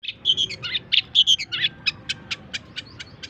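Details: Long-tailed shrike song used as tutoring material for other songbirds: a varied, scratchy medley of short high chirps and buzzy notes, some paired, then a run of evenly spaced sharp single clicks.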